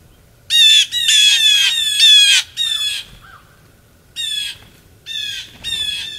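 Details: Several blue jays feeding together in Maine, United States, December 2023, give loud, harsh, rasping jeers, a dense burst of overlapping calls early on, then shorter separate squawks spaced about a second apart.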